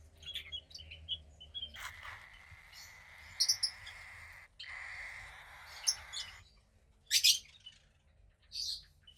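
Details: A female cockatiel chick about 15 days old, second hatch from a pied cockatiel pair, grey with a little white around the wings. She gives two long, harsh, hissing rasps. Short sharp chirps and tweets sound before, between and after them.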